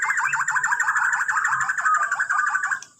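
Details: Morning song of a Borneo white-rumped shama meant to set other birds singing: a dense, continuous warbling chatter of quick mid-pitched notes for nearly three seconds, fading at the end, with a faint steady high tone behind.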